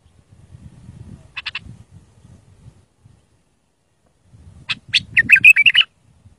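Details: Bulbul song for teaching young birds to sing: a brief click burst, then a loud rolling warbled phrase, over a low rumbling background noise.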